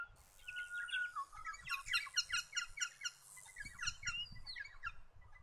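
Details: Blue Bonnet feeding on the ground; bursts of rapid, harsh chattering notes repeated in quick series, mixed with thin whistled slurs and other bird sounds, over low background rumble.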